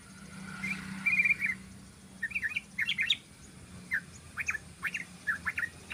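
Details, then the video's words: Yellow-vented bulbul, 'ropel' song style for luring birds: a buzzy trill, then bursts of quick, liquid, warbled chirps in short groups separated by brief pauses, over a faint low hum. "SUARA BURUNG TRUCUKAN ROPEL"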